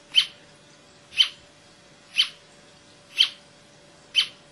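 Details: Brasilia tapaculo song recorded 28 June 2004 in Serra da Canastra, Minas Gerais, Brazil, one bird: five crisp high chips delivered at a steady one-per-second pace, each short and sharp, with only a low hum behind.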